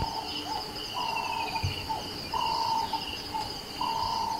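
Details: A nightjar in the early morning in Kruger National Park, South Africa, gives short, flat mid-pitched notes about every second and a half, over a steady high drone of insects.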